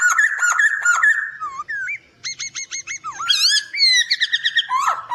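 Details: White-crested laughingthrush master song for training: loud whistled phrases, short repeated slurred notes, and harsh squealing downslurs in a busy continuous flow.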